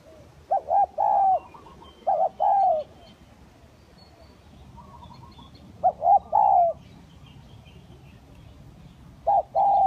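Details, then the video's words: Lure calling of spotted doves, kacuk and village birds: soft two-part coos, a brief note then a longer falling one, repeated roughly every two seconds with quiet gaps between. "Pikat Tekukur Kacuk dan Tekukur Kampung"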